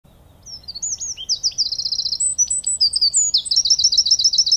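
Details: Wren singing: a rapid, loud, high-pitched outpouring of sharp notes, trills and fast repeated chips, building in intensity over several seconds against a quiet background.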